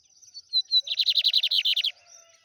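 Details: Lined seedeater singing in the trem bala style: a few thin whistled lead-in notes, then a fast, even trill of about twelve buzzy downslurred notes lasting roughly one second, over a steady high background tone.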